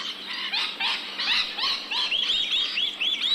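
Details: Rainbow lorikeets in Australia making rapid, rasping screeches and bright squealing arcs, calls tumbling one after another with no pause.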